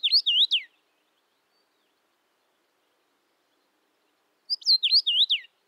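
Common rosefinch singing two short, clear whistled phrases, slurred up and down, about four seconds apart, with silence between.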